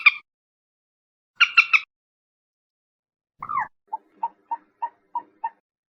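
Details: Common moorhen calls used as a lure: two harsh, buzzy stacked bursts, the second a triple, then a falling croak and a row of six short, evenly spaced clicking notes, with silence between.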